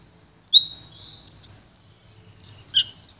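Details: Goldfinch-canary hybrid (pintagol) offering a pure song for training other birds: a long thin whistled note, then paired bright chirps and a rising twittered phrase.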